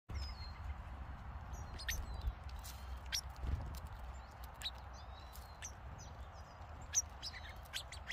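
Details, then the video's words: Several songbirds in an Oregon forest trade thin, high whistles and quick chirps, scattered irregularly, over a steady low rumble of background noise. "song Birds"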